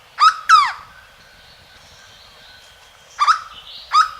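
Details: Hooded Berryeater, locally corocoxó, recorded at Alto Caparaó in Caparaó National Park, giving paired hoarse, ringing notes that dip in pitch. A pair opens the recording, and another pair follows after a three-second pause.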